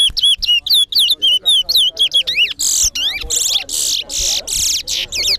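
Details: Chestnut-bellied seed finch (towa towa) at a bird singing competition at Guyana National Stadium, Guyana: a quick run of clear down-slurred whistles, about four a second, breaking into harsh buzzy trilled bursts, with faint voices behind.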